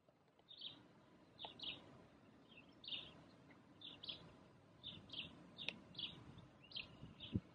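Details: A crested lark at Illmitz by Lake Neusiedl, Austria, in May 2019, gives short, clear, slightly slurred whistled notes in quick pairs and small groups, repeated about every second, over a low rumble of background noise.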